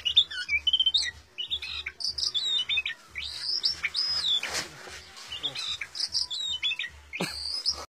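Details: Oriental magpie-robin singing vigorously: a fast, ever-changing run of clear high whistles, slurred rising and falling notes and short buzzy phrases, with a brief harsh rasp midway and a faint low pulsing hum underneath.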